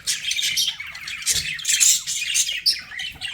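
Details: Pet budgerigars chirping and warbling in fast, gritty bursts with a few clear whistled pips, the chatter swelling and fading over a low background rumble.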